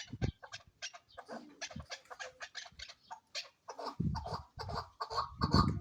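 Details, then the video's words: Female chukar partridge calling: a series of harsh, clucking notes in uneven bursts, growing louder and more run-together near the end, with some low thumps. "keklik sesi chakor birds shikari chakor awaz sound voice"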